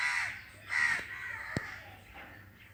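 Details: Crows caw twice, rough and drawn out, followed by a sharp click and a softer, trailing caw.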